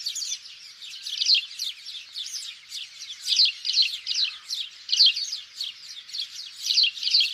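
Many House sparrows chirp together in a dense, overlapping chorus of harsh cheep notes, a few each second, with louder bursts rising above.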